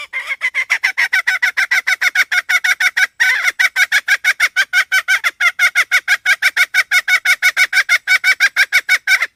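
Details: Hen producing a long unbroken series of short, harsh, harmonic notes, about three each second, with one brief gap near the three-second mark.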